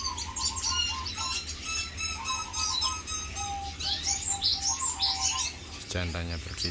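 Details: Male red siskin singing near its nest, which is built at the feeding spot: quick high twittering chirps and buzzy, harmonic-rich notes repeated in short bursts, with a man's voice speaking near the end.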